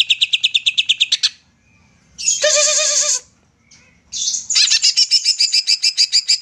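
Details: Greater green leafbird used to stir lazy birds: fast high chirps, silence, a drawn-out harsh buzzy note with layered tones, then quick clipped chirping resumes.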